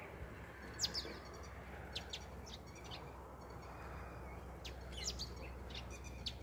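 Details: Indian house sparrow singing: thin, high chirps come in short scattered bursts, some doubled or tripled, separated by brief pauses, over a steady low rumble of background noise.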